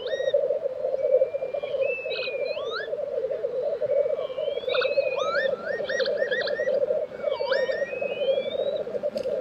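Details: Black grouse lekking in Tiveden, Sweden, April 2023: steady low burbling chorus beneath a lively run of another bird's looping, rising whistled phrases and short chirps.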